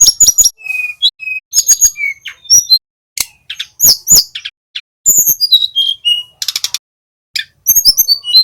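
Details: Young male Little pied flycatcher learning its trilling 'ngeroll' song, used as a lure for other songbirds: high thin whistles, sharp chips and short rapid buzzy trills in quick varied bursts, with few pauses.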